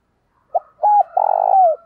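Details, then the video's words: A spotted dove used as a decoy to lure wild birds gives one brief loud coo phrase: a short note, a flat hooked coo, then a long rough coo gliding downward. "Chim Cu Mồi Thúc Và Gáy Gọi Bổi Mới Nhất, Mở Lên Bổi và mồi nghe gáy liền"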